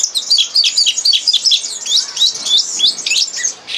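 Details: Red crossbill lesson song used for training captive birds: dense, high twittering of quick chirps and short rising and falling whistled notes, delivered in rapid uneven runs with barely a pause.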